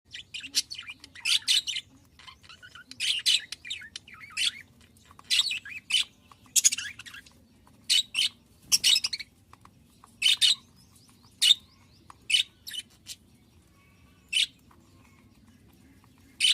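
Budgerigars chirp in bright, scratchy bursts, one short warbling phrase after another.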